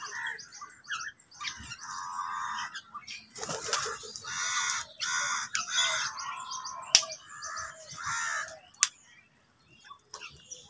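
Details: A flock of crows on a winter morning, fighting over food, calling together in harsh overlapping caws with a few sharp clicks.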